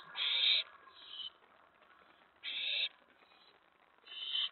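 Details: At the nest at night on May 15, 2017, an owl begs as food arrives: three loud, drawn-out hissing screeches spaced a couple of seconds apart, quiet between.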